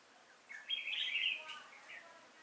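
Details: Trapping decoy red-whiskered bulbul, October 2018, singing to call wild bulbuls in. One loud, sweet, rolling warble lasts about a second, then a brief softer note trails off.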